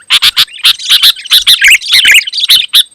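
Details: Sooty-headed bulbul in full, dense song aimed at rivals: fast chattering notes, roughly two to three a second, with a bubbling, slightly harsh tone running almost without pause through three seconds.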